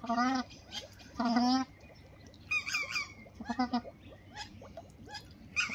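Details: Two white-winged duck females courting a male: two strong nasal honks open, followed by softer, shorter honks and scattered higher chirping notes from small birds in the background.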